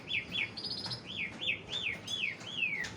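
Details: Young Javan pied starling singing a series of clear whistled slurs, each rising then falling, about two per second, ending in a long descending whistle; low background murmur.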